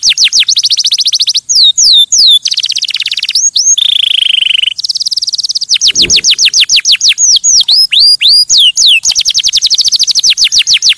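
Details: Canary in full song, loud and continuous: fast high rattling trills alternate with downward-sweeping whistles and a brief buzzy rolled section, the phrases changing every second or two.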